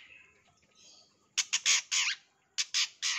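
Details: Long-tailed shrike song used as a lure and training sound: quiet thin notes, then loud harsh grating bursts in quick runs of four and three, with brief pauses between the runs.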